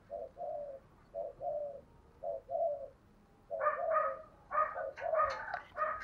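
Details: Spotted doves in the 'giọng thổ' voice style, a wild-caught bird and a lure bird calling eagerly every day. Soft paired coos come in separated phrases, then overlapping louder coos with brighter upper tones and faint chirps follow.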